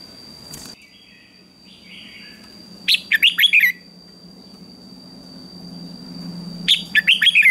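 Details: Red-whiskered bulbul singing a morning contest song: two short, loud phrases of quick rising and falling whistled notes, the first near the middle and the second at the end, over a steady faint high whine and low background hum.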